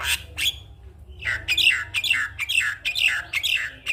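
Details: Morning Javan myna song meant to stir silent mynas into singing: two sharp opening notes, then a fast run of hoarse, downward-sweeping squawks repeated about twice a second.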